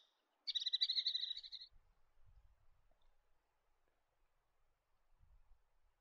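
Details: Collared sparrowhawk in Australia gives a rapid, high chattering call lasting about a second, quick harsh notes run together; faint low rumbles follow.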